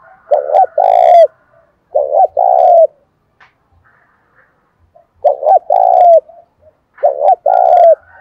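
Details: Spotted dove urged to fight during the rainy seventh month. Low cooing phrases repeat: a stammered lead-in, then a sustained coo that drops at the end, four phrases in all, with faint clicks between.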